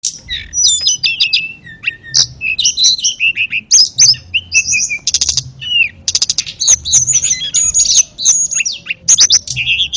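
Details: Ashy tailorbird song used as a tutor recording for canaries and magpie-robins: dense, fast bursts of high chirps, short whistles and trills, with brief sharp clicks and hardly a pause.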